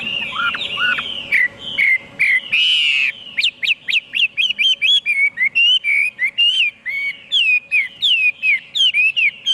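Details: Energetic hwamei song: low-pitched opening slurs, a brief rough buzzy burst, then a rapid string of clear whistled notes, rising and falling, several per second; a faint hum in the background.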